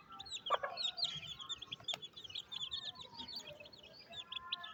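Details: Baby chicks peeping around their mother hen during feeding in the rain in rural Pakistan; quiet, busy high cheeps run continuously, with one or two deeper clucks and a sharp tap.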